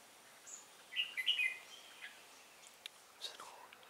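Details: Caged red-whiskered bulbul used as a trapping decoy, singing to provoke a fight, recorded on 10 December 2016; one brief, bright, liquid warble followed by faint scattered chirps and soft background noise.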